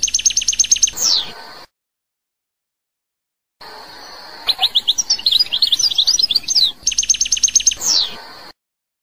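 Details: Algerian goldfinch singing: bursts of fast, evenly spaced metallic chirps ending in a downward slur, then after a silent pause a tumbling run of twittering, buzzy notes, followed by another quick chirp series.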